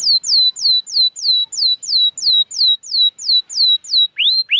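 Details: Canary song for prompting reluctant canaries to sing: a clean, regular run of loud downslurred whistled notes, roughly three per second, closing with two sharply rising notes.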